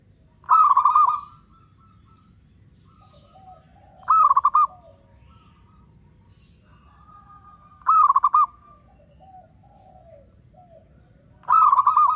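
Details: Local wild-type Zebra dove from Blora, played as a lure to attract and stimulate other doves: four short trilled coo phrases roughly every four seconds, with gentle low purring notes between them and a faint steady high whine.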